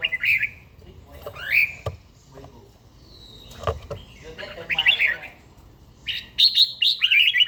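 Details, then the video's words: Older caged red-whiskered bulbul with a wild forest voice, singing during daily morning training. Rich whistled and warbled phrases, some sweeping upward, build into a dense closing burst of rapid notes, with cage taps in between. "chàomào HÓT SÁNG, LUYỆN CHIM HÓT HẰNG NGÀY"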